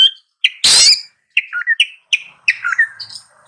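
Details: Long-tailed shrike song: one loud, grating rasp followed by a string of short warbled chirps that dip and rise, spaced by small pauses.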